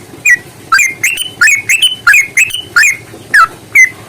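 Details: Yellow-vented bulbul in a fighting-style lure recording, long 'ropel' delivery meant to provoke other bulbuls into singing: a fast run of bubbly, sharply bent notes, about three per second, with faint low hum behind.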